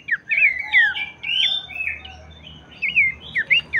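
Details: Abbott's babbler song used to stimulate other babblers to sing. Long, smooth, down-slurred whistles lead into a pause, then a few sharp rising notes. A steady low hum runs beneath.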